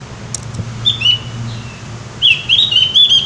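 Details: Javan white-eye, described as singing vigorously and loudly, gives two short whistled notes then a run of high, sweet rippling phrases near the end, over faint low background hum.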